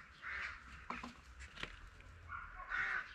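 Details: Peafowl on a farm keeping Spalding and emerald peacocks give two loud, harsh, drawn-out calls, one at the start and one near the end, with knocks and a busy chorus of other farm birds between them.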